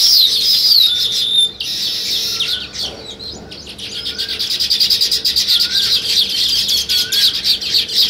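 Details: At a weaver bird nest-building site, sparrows chirp in a continuous high twittering chorus of quick buzzy notes, briefly breaking off early before a steady pulsing chatter builds.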